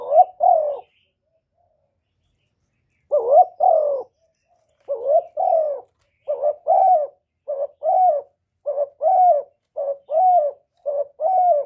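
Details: A spotted dove coos continuously, played to stimulate caged doves and males; recorded without background noise. It gives low, soft, hollow coos in short two-part phrases, about once a second after an opening pause, and nothing else is heard.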